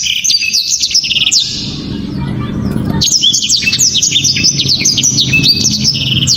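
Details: Blacktrod, a favourite of Indonesian song-bird enthusiasts for its loud, tight song; a short phrase of high whistled slurs, a brief lull, then a long dense run of sharp rising and falling whistles over low background rumble.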